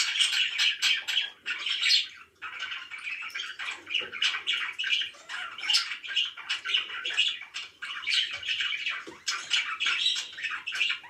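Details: Happy pet budgerigars in long bouts of scratchy, buzzy chirping with brief pauses, several birds chattering together indoors.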